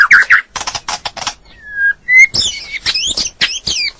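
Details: A male white-rumped shama's tutor song, played to coax a stressed, silent bird back into singing: dry rattling bursts, a pause, two clear pure whistles, then quick high buzzy, up-and-down notes.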